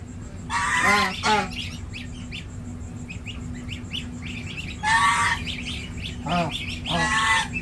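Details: Domestic goose on a village farm in India, where a gosling is six days old; two loud, buzzy honking bursts about four seconds apart, each followed by shorter harsh notes, over faint high chirping and steady low hum.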